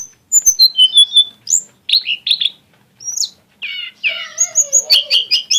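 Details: Exotic-style song of a lesser shortwing: clear falling whistles, squeaky upslurs and a long sliding lower whistle, finishing in a fast stream of bright repeated chirps.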